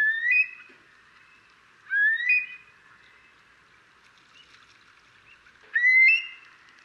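A Eurasian curlew gives three clear, rising whistled 'cur-lee' calls, spaced a few seconds apart, over a quiet background.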